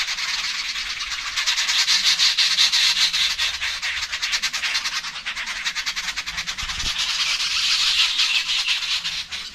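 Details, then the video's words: Jungle babblers in Kollam, Kerala, in April 2024, keep up a harsh, grating chatter, fast and scratchy, swelling into louder bursts with a few thin squeaky notes mixed in. "Jungle Babbler Sound Effect"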